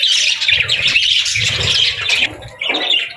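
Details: Budgerigar parents tending and feeding their chicks; loud, grating squawks and chirps run together for two seconds, drop to a quieter pause, then resume in a short raspy burst.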